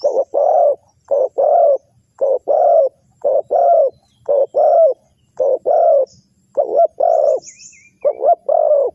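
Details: Lure call of a spotted dove for trapping wild birds: steady series of low, rolling coos in paired short and long notes, repeated about once a second with little pause. A few faint high bird twitters behind.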